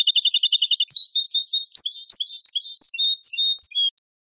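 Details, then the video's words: Moroccan Ceuta-pattern goldfinch tape (sanfonia), mixing European goldfinch phrases with other wild birds' motifs sung mostly in goldfinch voice: a rapid trill shifting into lively, varied high twitters and slurred whistles. "شريط تغريد سبتة نمط قديم مغربي ( سانفونيا )"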